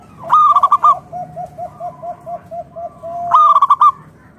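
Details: Local natural zebra dove singing loudly to set off other doves: two quick bursts of rippling coos three seconds apart, with a second dove steadily repeating soft, lower, evenly spaced coo notes in between.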